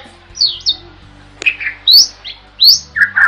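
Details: Starling (jalak) singing actively, recorded as a master tutor for songbirds: sparse whistled slurs, some rising sharply and others falling, interspersed with brief chattery notes and short pauses.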